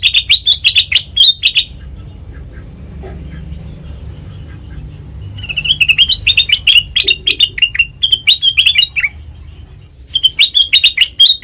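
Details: Black-crested bulbul song, a recording used to lure birds for trapping: loud bursts of sharp, bubbling whistled notes in phrases of one to two seconds, separated by short pauses, over faint low hum.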